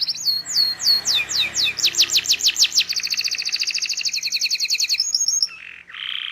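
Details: Canary singing a long "cuit cuit" rolling song used to coax young canaries into learning to sing: falling whistled sweeps, then a fast even trill of about three notes a second blending into a rapid buzzy rattle, closing with two rasping notes.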